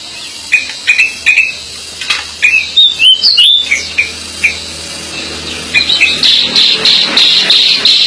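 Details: Energetic decu (Pied bushchat) song: short, clear whistled notes repeated roughly every half second, then a flurry of rising and falling twitters, ending in a busy, scratchy chatter of high notes.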